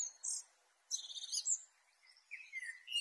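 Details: Black flycatcher (sikatan hitam) in prolific song, intended as a tutor recording for pet birds: a high squeaky note, then a hurried burst of shrill chattering twitters, a short pause, and a falling whistled phrase before another sharp note.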